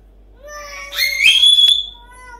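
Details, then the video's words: Pet parrot in a room during morning chatter, giving a long whistled tone that sweeps sharply upward into a loud shrill squeal, then settles into a soft steady whistle. "Parrot Singing Spongebob Song"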